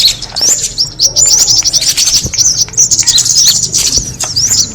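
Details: Kemade bird sound used to attract birds: a dense, very high twittering of rapid thin chirps and short trills, running almost without pause, with faint clicks and a low hum underneath.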